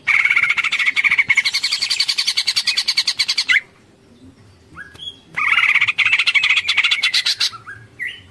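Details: Greater green leafbird (cucak ijo) in a 'ngekek panjang' song style: two long runs of fast, harsh, rattling chatter, separated by a pause with a few rising whistled slurs.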